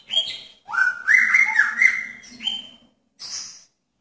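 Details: In a pairing cage, a male magpie-robin draws a female's attention with a sustained whistled phrase of slurred rising notes, then shorter high whistles and a faint low hum beneath.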